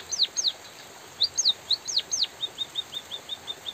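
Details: White-headed munia calling with natural pauses during light drizzle: high, thin downslurred chirps in quick pairs and groups, then a steady run of about nine short, even tweets, one every quarter second.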